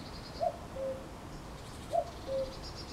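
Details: Cuckoo singing in May: two clear two-note calls, a higher note dropping to a lower one, about 1.5 seconds apart, over a faint background hiss and soft high chirps.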